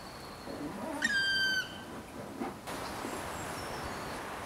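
A black woodpecker gives one drawn-out, plaintive note that starts high and falls slightly over about half a second, against a steady background hiss.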